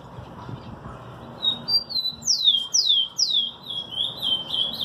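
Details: Singing display by a rufous-collared sparrow alongside an ultramarine grosbeak (azulão): after a quiet start, a string of loud, downward-sweeping whistles repeated roughly every third of a second, blending into softer high slurred notes.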